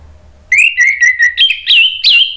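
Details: Orange-headed thrush song used to coax other thrushes into singing: a brief burst of rich whistled notes, slightly rising and varied, delivered in quick succession.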